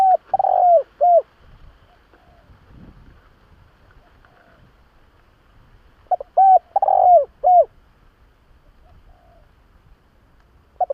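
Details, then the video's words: Spotted dove call used as a lure to attract and trap wild doves: two mellow cooing phrases, each a few quick soft notes ending in a drawn-out coo, at the start and after six seconds, with quiet gaps between. "Tiếng chim cu gáy nghe là ghiền kích bổi siêu nhạy"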